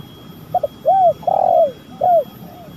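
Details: Spotted dove coo sequence for luring birds: paired short notes, one bowed coo, a long purring croon dropping in pitch, then a closing arched coo, with a steady faint hum behind.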